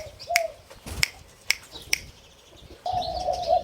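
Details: Hybrid Spotted Dove of the 'sai din' line, a young captive bird about five months old from the first clutch, gives a short low coo, then sharp handclaps, then a longer rolling coo near the end.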